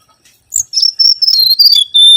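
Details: Singing mangrove whistler from a lure recording. A steady string of high, pure whistled notes steps gradually lower and ends on a long, sustained whistle.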